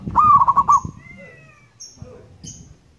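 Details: Indonesian local zebra dove giving a clear, loud cooing phrase of rapid rolling pulses, followed by faint thin chirps and soft low rustling.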